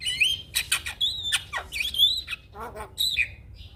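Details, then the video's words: Champion black-winged starling tutor song meant to get birds singing quickly. Loud squawks and clear high whistles, some sliding up or down, come in quick succession, roughly one phrase per second, with a few harsh rasps mixed in. "Masteran Jalak Kebo bahan Cepat Gacor - Kicauan Jalak Kebo Juara"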